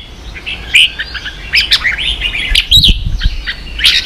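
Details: Red-whiskered bulbul in a singing contest, giving short chattering whistled notes and warbles in a brief, busy sequence with a sharp click near the end.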